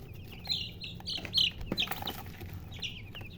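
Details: Close baby chicks giving loud, clear, high-pitched cheeps in short bursts, a few birds at a time, with a faint low hum behind.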